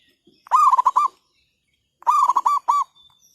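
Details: Zebra dove calling near a decoy used to lure wild birds for trapping, overcast weather after night rain: two close, loud phrases of rapid broken cooing notes, the second ending in a separate final note, with silence between the phrases.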